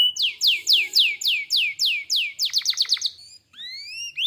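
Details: Canary in full gacor song: evenly spaced falling swept notes about four per second, a quicker run of short downward notes, then a pause and long rising whistles.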